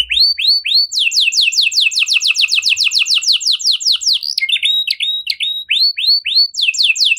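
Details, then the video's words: Luxurious-style canary song (cengkok mewah) that makes other canaries sing along: a few curved whistles lead into a long rapid trill of falling sweeps, then chattering twitters and more spaced, hooked high notes. "Burung Kenari Mana Saja Pasti Ikut Gacor Setelah Dengar Kenari Cengkok Mewah Ini"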